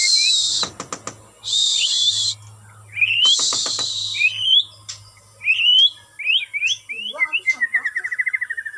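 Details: Captive White-rumped shama being conditioned for stamina with regular outdoor exercise. Bursts of rushing noise alternate with clear rising whistles. Later come quick upward-slurred notes and a rapid, evenly pulsed trill at the end.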